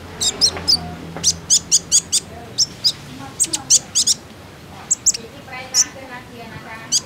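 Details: Common iora giving sharp, high chips in quick bursts with a few short buzzy trills mixed in, repeated irregularly about once a second; used as a lure to prompt other ioras to sing.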